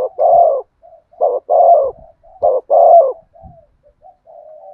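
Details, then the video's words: Song of a spotted dove, 'thổ sấm' style: three loud paired coos, short then long and slightly falling, followed by soft, low, drawn-out murmuring notes that trail off. "cu gáy thúc gù giọng THỔ SẤM chuẩn nhất/ the cuckoo sings beautifully"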